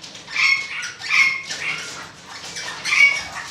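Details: Golden-mantled rosella calling with three rough, noisy squawk bursts spaced about a second apart, each carrying a short thin whistled tone, with quieter scratchy chatter between them.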